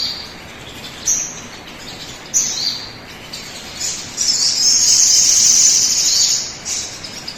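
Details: Crimson sunbird song played as a lure to get other birds singing quickly: a few short high chirps, then a fast, very high, buzzy trill lasting about two seconds, with a faint noisy background.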